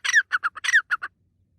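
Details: Francolin in a forest, said to be jumping happily and making noise: loud, harsh, grating squawks in two quick bursts of about four notes each, all within one second, then quiet with no other clear sounds.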